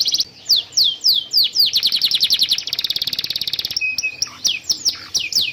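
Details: Canary song used to tutor young birds and prompt silent ones to sing; repeated downslurred notes speed up into a dense high trill, then a flat tone and more swooping slurs.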